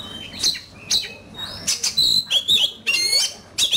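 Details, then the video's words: Oriental magpie-robin kept as a cage bird, singing hard in a song contest: separated bursts of bright whistles and scratchy notes about twice a second, with long pure whistled phrases in between. "Chòe Than,Bộ Đẹp,Hót Đấu Căng Lửa."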